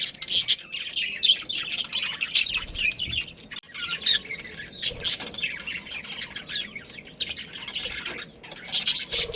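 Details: Budgerigars, a breeding pair, giving dense high chirps and scratchy warbles in quick overlapping bursts, with short pauses between flurries of chatter.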